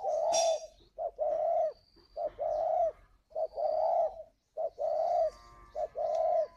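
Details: Spotted dove kept at a bird garden near Vân Hòa, Ba Vì, Hanoi, in northern Vietnam, cooing to call: steady, mellow hoots in repeated two- and three-note groups, evenly paced, with a thin whistle faintly in the background.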